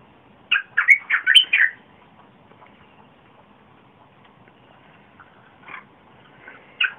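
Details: Red-whiskered bulbul, recorded 30 April 2021, singing a song used to lure wild birds and for young birds to copy: one rapid phrase of five or six warbling whistles, then quiet with a couple of isolated notes.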